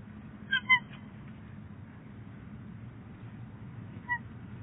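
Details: A pair of wild bald eagles at their nest at Big Bear Lake on 22 January 2018, while the male brings in soft nesting material. Two brief whistled notes with clear overtones, then a single similar note after a pause, over steady low background rumble.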